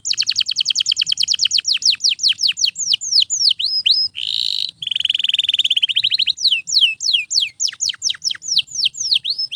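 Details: Canary song intended for training other canaries, loud and nonstop: rapid series of high descending whistled sweeps repeated many times per second, broken by a harsh buzzy trill around four seconds, then more falling slurred notes.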